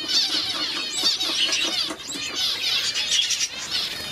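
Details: Two weak one-day-old Society finch babies being hand-fed. A busy, unbroken stream of high, squeaky, trilling cheeps fills the stretch, with a faint lower murmur underneath.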